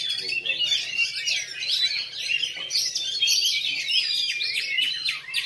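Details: Black-coloured oriental magpie-robin (kacer kala hitam) showing a bowing (sujud) display style at a regular bird-singing contest in Lhokseumawe on 9 January 2022. It gives loud, unbroken, rapid jumbles of varied high whistles, trills and chattering phrases.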